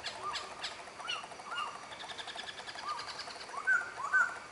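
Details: Black-throated laughingthrush song recorded at Bach Ma, Vietnam: a series of rounded, upslurred whistles repeated roughly every half second, ending with two louder, higher whistled notes, with a steady chorus of other birds chirping and trilling behind.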